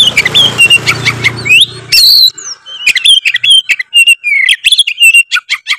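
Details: Tretes-type oriental magpie-robin in vigorous lure song for provoking rivals: a low hum under early whistles, then clear falling slurs, buzzy bursts and quick repeated chirped notes.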